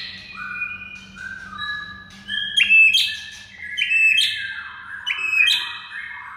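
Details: White-rumped shama song used as a master recording to prompt silent shamas to sing: clear whistled phrases sliding between steps, each ending in a bright sharp high note, repeated roughly every 1.3 seconds, with a faint low hum beneath.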